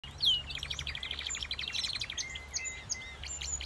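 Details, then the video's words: A captive black siskin in an aviary sings a fast, twittering run of high, thin notes and trills, rapid and continuous with a few drawn-out buzzy notes, over a low background hum. "Black Siskin | Bird Sounds"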